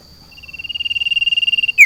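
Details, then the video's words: Sirtu in a cage set out in a garden gives a rapid pulsed trill that swells louder, then a quick falling whistled note, over a constant high background tone. "JEMUR SIRTU DI KEBON / MEMBUAT SUASANA BURUNG SIRPU DI ALAM BEBAS"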